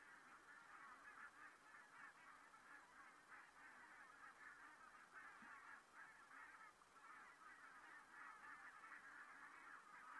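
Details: Flock of geese passing overhead at Saastna, 4 November 2018: dense, unbroken honking from numerous birds calling over one another, pulsing slightly in strength from start to finish, with a faint low background hum.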